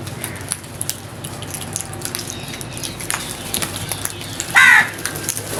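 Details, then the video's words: Crow uttering one brief, hoarse caw late in the recording, preceded by a quiet stretch of dripping, ticking background noise. "All types of Crows Sounds | Crows loud noise | Crows Crowing"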